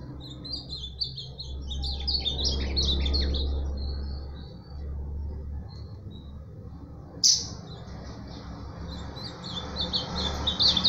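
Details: Ultramarine grosbeak (azulão) delivering a quick high warbled phrase of descending slurred notes for about four seconds, then quiet with a sharp click and faint later notes, low background hum throughout.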